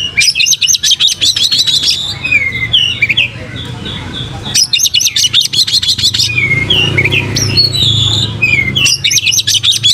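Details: White-rumped shama singing with tail spread, delivering bursts of rapid sharp chips and whistled slurs separated by quieter pauses with faint background noise.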